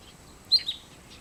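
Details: Single high, sharp whistled call of a wood sandpiper that arrived early on migration on 27 August: a bright first note followed closely by a softer second, against quiet low rumble.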